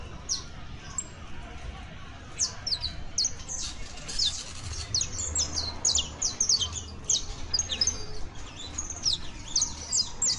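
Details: Juvenile Saffron Finch, locally called canario basto, singing a loose, uneven run of sharp high chirps and short downslurred notes, dense in the second half, over a low steady rumble.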